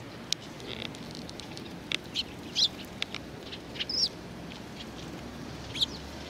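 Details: At a Tenmangu shrine on 19 April 2019, sparrows gathered at food give quick, scattered chirps and ticks, a few louder notes standing out among soft clicks and faint background murmur.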